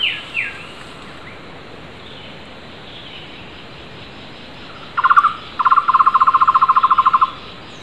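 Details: Wild flame-fronted barbet calling loudly: a rapid, even trill of low hollow notes starts midway, then a second longer burst. Fainter downslurred whistles from other wild birds come at the start over steady background hiss.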